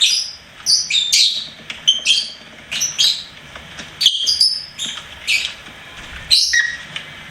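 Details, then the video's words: Pet lovebird chirping and singing: a run of short, high, sharp chirps and squeaky notes, each a quick downward flick, in irregular bursts roughly every half second with brief pauses. "LOVEBIRD SINGING & CHIRPING SOUNDS"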